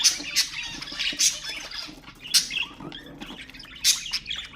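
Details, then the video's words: Budgerigar chatter to stimulate budgies: loud squawks recurring roughly each second over softer warbling and chirped notes. "اقوى تحفيز لطيور البادجي أقوى أصوات البادجي المحفزة"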